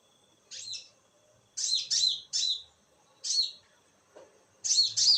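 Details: Konin heard at night giving irregular bursts of sharp, high chirps, singles and quick doublets spaced about a second apart, with a faint low hum in the background.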